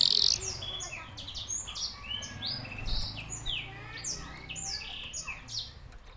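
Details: Canary with song likened to a Senegalese songbird, giving a run of high slurred and buzzy notes at moderate volume, steadily repeated over a low background hum.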